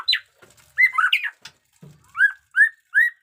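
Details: White-rumped shama of the 'jenggot dewa' type, caged and newly moulted, singing: a few scratchy mixed notes, then three evenly spaced clear rising whistles about every third of a second.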